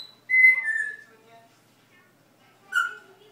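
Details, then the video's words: Pet parrot that mimics Dutch words, barking and whistling: one bright whistle sliding slightly downward, then silence, then a short, sharper whistled note near the end. "Parrot Learning to talk dutch. Goodmoring, kisses, where were you, barking and whisteling"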